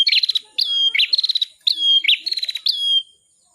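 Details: Bar-winged prinia, called cimblek kepala merah, singing for a songbird training recording: four quick phrases, each a rising whistled slur followed by a fast buzzy rattle.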